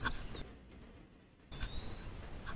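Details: Black-capped Chickadee during a big thunderstorm with loud rain: two thin, pure whistles about a second apart, each holding a high pitch and easing slightly downward, over a steady low rumble.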